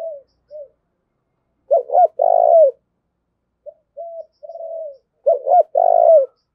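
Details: Spotted dove serving as a decoy to provoke fighting, two loud phrases of stuttered notes and a long purring coo, interleaved with softer, plainer coos from another dove.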